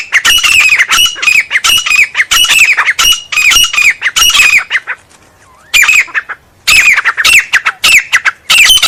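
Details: Grey francolin delivering rapid, repeated harsh phrases of strident, squeaky notes. The calling pauses briefly midway, when only a faint thin sound is heard, then resumes with the same grating series.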